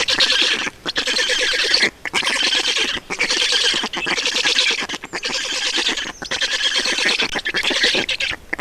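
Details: Black stork nest in Estonia during feeding, 2019: bursts of shrill, wheezing squawks, each lasting about a second, separated by short gaps and repeated roughly once a second.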